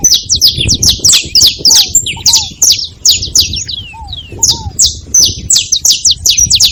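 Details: Saffron finches gathered and calling at once, a near-continuous chatter of bright, high, sharp chirps, broken by a few lower arched notes, over a low background rumble.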